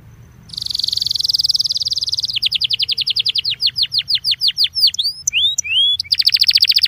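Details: Belgian canary song used to warm up other canaries: a fast buzzy trill, then a series of clear descending whistled notes, a few swooping slurred calls, and a return to a rapid high rolling trill.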